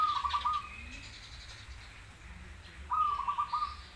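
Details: Lively zebra dove, crossbred versus local: two brief phrases of rapid, soft rolling coos at a steady mid pitch, nearly three seconds apart, with quiet hum between.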